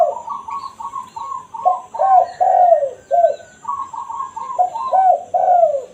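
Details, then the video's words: Spotted dove lure call of the 'kuk satu' type. Repeated mellow falling coos overlap a second bird's rapid series of higher, evenly spaced notes running through most of the recording. "Burung tekukur /kukur kuk 1(satu) suara asli"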